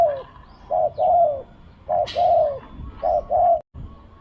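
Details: Decoy-luring spotted dove calling: three clear coo pairs, each a short note and a longer sliding one, delivered steadily about once a second, with a faint sharp chirp in the background.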